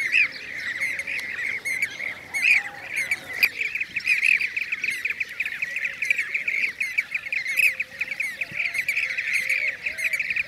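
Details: Several blue-cheeked bee-eaters calling in Şanlıurfa, Turkey, 2016: a dense chorus of rolling, rippling trills, nearly continuous, with sharp high chirps and a lower wavering note in the background.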